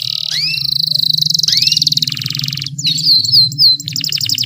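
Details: Female canary calling, used as a lure to get male canaries singing: a long buzzy rapid trill at high pitch with rising slurred notes, then short upward-sweeping chirps; a low hum runs underneath.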